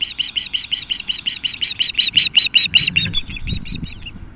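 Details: Nesting osprey pair on the Kootenay River west of Nelson, British Columbia, alerting against an intruding osprey at 10:00 am on 8-7-2015, recorded by nest camera: a fast, steady run of sharp piercing chirps, several per second.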